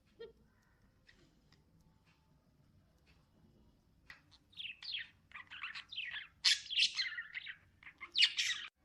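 Lovebirds chirping in quick, shrill, scratchy bursts that start after a quiet few seconds and grow louder and busier toward the end.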